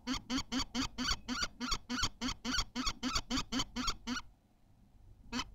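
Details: Egg-laying common kestrel at Théding on 14 May 2023 utters about eighteen quick, harsh, buzzy notes in a steady run, then falls silent before one last call.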